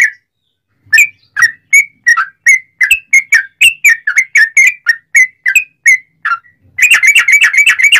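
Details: Sooty-headed bulbul in long rapid-fire song, used to coax other bulbuls into singing: silence, then a string of bright twisting chirps that speeds up and ends in a dense, fast rattle of overlapping notes.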